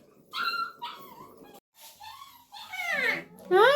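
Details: Pet parrot talking, producing speech-like harmonic syllables with gliding and falling tones in short bursts, separated by brief pauses; louder rising call at the end.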